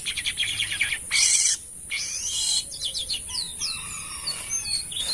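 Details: Asian pied starling giving a busy, varied song: stuttering buzzy notes, a loud harsh rasp, then a quick series of short whistled slurs and chirps, over a steady high-pitched hiss.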